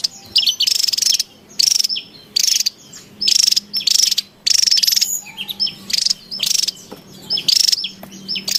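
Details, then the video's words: Excited wild Javan tesia: loud harsh buzz bursts, each with a bright whistle-like tone inside, come roughly once a second, with softer twittering notes between them. "SUARA PIKAT DAN MASTERAN TESIA JAWA RIBUT DI ALAM LIAR"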